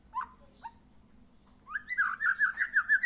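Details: White-rumped shama just after its first moult, sunning itself: two short whistled notes, a pause, then a fast rolling phrase of warbled, fluty notes wavering up and down.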